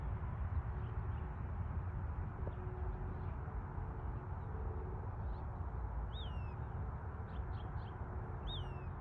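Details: Western wood pewee giving two slurred, descending notes near the end, each dropping sharply in pitch, with fainter short notes between them over a steady low rumble.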